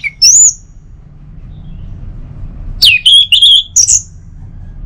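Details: Orange-headed thrush singing in the morning to stimulate other birds: a lone rising whistle, then after a pause a loud phrase of sliding, buzzy high notes ending in an upward whistle.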